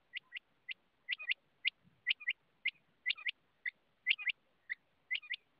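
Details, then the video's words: Rain quail repeating sharp, high doubled notes roughly once a second, some pairs stretched into triplets, over a faint steady background hiss. "rain quail voice"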